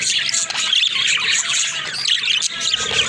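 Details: A group of pet budgies, known as talking budgerigars, produce an unbroken stream of high twittering and squawky chatter with small whistled squeaks on top.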